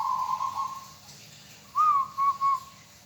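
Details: Local zebra dove, kept as a hobby bird, singing a soft whistled coo: one long even note, a pause, then a three-note phrase with a rising first note and two shorter level notes.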